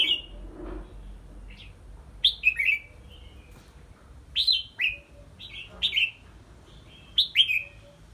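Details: Caged red-whiskered bulbul during training in a small bamboo cage hung high; repeated clear whistled phrases of falling notes, some in quick pairs, spaced about a second apart, low background rumble.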